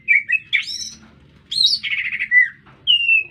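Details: Lively city-dwelling lesser green leafbird delivering short varied phrases: warbled whistles, a fast trilled rattle and a drawn-out clear whistle, separated by brief pauses.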